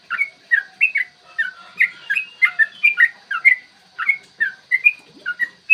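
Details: Yellow-vented bulbul in a long, rapid 'ropel' song, recorded clearly in the morning and used as a lure to make other bulbuls sing and fight: a steady chain of short, bubbly whistled notes, rising and falling, about two per second.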